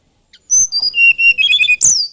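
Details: Tledekan gunung, the hill blue flycatcher of Java and Kalimantan, singing a plaintive, lilting phrase of clear high whistles, steady then wavering, ending in a sharp bright note.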